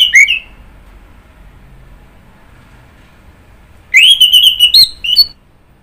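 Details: Orange-headed thrush giving a short slurred note, then after a long quiet pause a sustained warbling whistled phrase with quick twittering ornaments.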